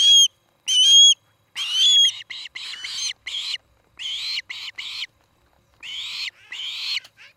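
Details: Nest camera near Charlo, Montana, 17 August evening: an osprey opens with a few clear rising whistles, then a run of shorter, rougher chirping calls repeated about once a second, with brief pauses.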